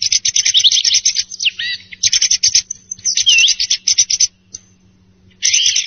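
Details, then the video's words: Song thrush singing in the morning: dense, rapid bursts of high, scratchy and whistled notes in short phrases broken by brief pauses, with a faint steady low hum underneath. "صوت السمن صباحي و مبيت ، السُمنة المغردة"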